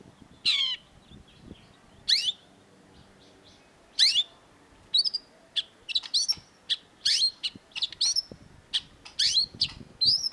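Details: A long-tailed shrike on a master track for training cage birds gives a few separate harsh downslurred notes, then a lively jumble of short high chirps and rising whistles.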